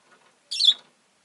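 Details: Single harsh, raspy high squawk lasting about a quarter second from a Rosy-faced lovebird, with silence on either side.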